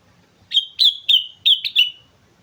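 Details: Sooty-headed bulbul singing vigorously on Mount Slamet: six loud, clear whistled notes in quick succession, each with a sharp onset, the last one trailing off, with faint low rumble beneath.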